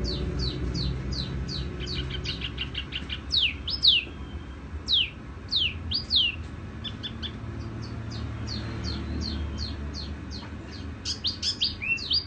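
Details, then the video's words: Tiểu mi songbird in song: long sequences of rapid, high, downward-sweeping chirps, some bursts denser and louder, with brief pauses between phrases and a soft low background. "Chim tiểu mi hót tiếng vang dịu"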